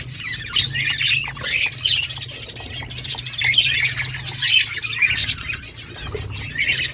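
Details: Steady flock chatter from budgerigars, a constant mix of warbling, squeaky chirps and short squawks from several birds at once with no pauses.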